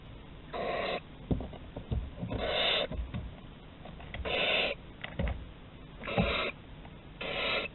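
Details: Barn owls at Théding, recorded 11 August 2020 while exploring a corridor: harsh, hissing screeches of about half a second, five bursts spaced unevenly, with soft knocks and scrapes between them.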